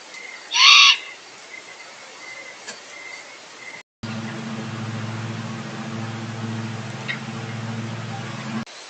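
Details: An owl shrieking among deer at apple trees gives a single harsh, hissing shriek, loud and brief, then a steady low hum follows.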